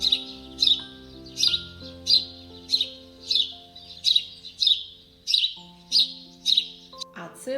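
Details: A house sparrow, presented as a winter feeder bird, gives about a dozen bright, sharp chirps, roughly one every two-thirds of a second, over soft sustained background music.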